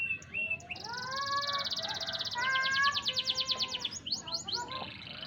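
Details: Canary aged four to five months performing song, 28 July 2020: varied phrases of clear whistled notes mixing with long fast high trills and rolling rattles, descending sweeps near the end, continuous and lively over five seconds.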